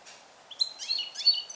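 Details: Song-trained captive European goldfinch born in 2021, kept briefly in a small carrier for recording; a short fragment of high, liquid twittering and a sliding whistled note.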